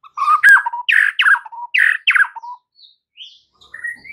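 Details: White-rumped shama master song used for training caged birds: clear whistled phrases near mid pitch, then a run of four loud buzzy descending notes, ending with soft higher whistles.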